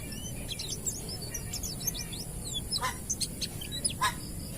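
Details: Wild-type Oriental white-eye singing, used as a lure to stimulate other white-eyes to sing: a rapid, dense run of thin, high chirps and twittering slurred notes, with a few sharp broadband clicks and a steady high hiss behind.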